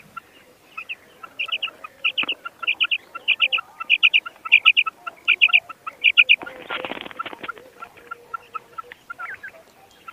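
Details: Common quail repeating crisp triple-pulsed calls at a steady pace of roughly two per second, broken by a short noisy rustle midway, then fading into softer scattered notes.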